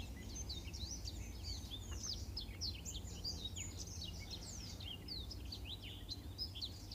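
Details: Model song of a Black-throated canary for teaching canaries: a continuous chatter of quick high upward and downward whistled sweeps and twitters, with a low steady rumble underneath.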